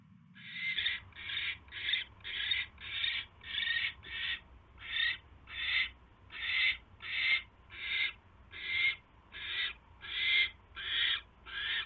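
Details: Owl nest, mouse delivery on the evening of 29 January 2016: a long run of about seventeen loud, breathy screech bursts at a quick, slightly uneven pace, with a low hum stopping early on.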